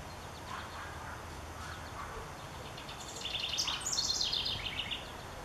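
A house wren sings a rapid, bubbly burst of high chattering notes that tumble downward over about two seconds, after a few soft lead-in notes; steady background hiss.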